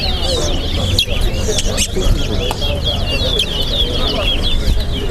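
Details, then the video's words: Chestnut-bellied seed finch (towa towa) sings rapid, high twittering phrases in burst after burst at a bird singing competition at Lusignan bird ground, over loud crowd chatter and a low rumble. "TOWA TOWA BIRD SINGING COMPETITION"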